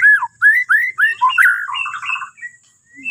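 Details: Bornean white-rumped shama song, used to prompt other birds to sing in the morning: loud, clear whistled notes arching up and down in quick succession, then a fast rolling trill.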